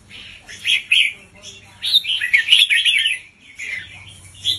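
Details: Caged red-whiskered bulbul tutor, played to teach young birds, giving warbled whistled phrases in two main bursts over a faint low hum.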